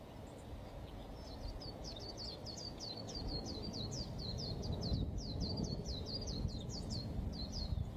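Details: White-eye singing a rapid string of high, thin chirps, each a quick slurred note, delivered in dense bursts over a steady low background rumble.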